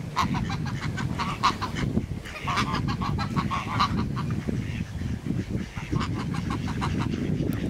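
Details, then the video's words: Two geese honk together, rarely heard. Bursts of rapid squawks come and go over heavy low-pitched background rumble. "the Geese Squawking in Tandem(Rare occasion!)"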